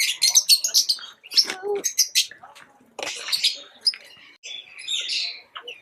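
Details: Chattering pet lovebirds give quick, high, rasping chirps in an irregular stream, a thick cluster at the start, then softer, buzzy notes and scattered sharp squeaks.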